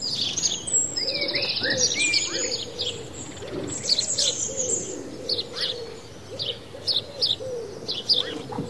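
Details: Several sparrows bathing in water and dust chirp in quick, high bursts, overlapping irregularly, while a soft, low cooing repeats underneath.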